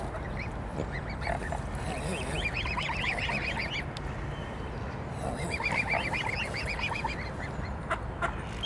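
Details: Swans begging for food at a swan pond in Dresden's Großer Garten park, Germany, recorded on a compact camera: bursts of short nasal honking and squeaky calls, several birds overlapping in quick irregular runs, over steady background noise.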